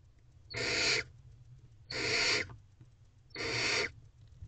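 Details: Barn owlets in an owl box at night, 22 April 2023, begging hungrily while the female feeds them; three rasping, breathy hisses, each about half a second long and spaced roughly 1.4 seconds apart, over a constant low hum.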